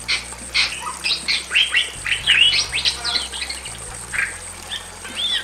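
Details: Male and female Bali mynas in a simple aviary, singing loudly: a busy jumble of sharp whistled and chattering notes, rising and falling, with brief pauses and a steady high hiss behind.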